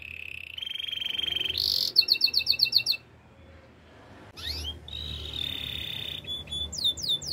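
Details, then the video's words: Canary training melody: a level buzzy trill rising in pitch, a burst of pulsed rattling notes, a brief pause, then rising sweeps, a sustained trill and quick falling whistles at the end. "The best melodies canary singing"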